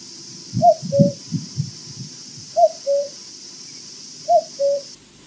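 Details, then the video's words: At Loch Garten, Scotland, on an osprey nest camera after a flyby, a common cuckoo briefly gives three falling two-note cu-coo calls, one pair about every two seconds, over low thumps near the start and a steady high hiss. "a Cuckoo calls briefly"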